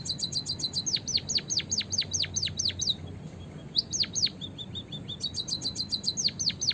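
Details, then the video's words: White-headed munia song used as a trapping lure: rapid series of high, steeply falling chirps in bursts, broken by short runs of thin, level high notes, with a faint low rumble underneath. "PIKAT BURUNG EMPERIT KAJI GACOR"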